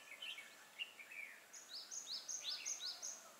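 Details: Decoy red-whiskered bulbul used to lure wild birds, recorded 12 April 2018: soft warbled notes give way to a fast series of sharp, high rising whistles about three per second, over constant background noise.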